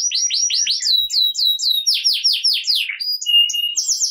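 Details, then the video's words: Canary in vigorous 'ngerek' song to make lazy canaries start singing: steady run of rapid descending chirps repeated many times, closing with a few thin, clipped high whistles. "Kenari Gacor Ngerek Cocok Buat Kenari Yang Malas Bunyi Jadi Ikut Bunyi Seketika || Voice of Canary"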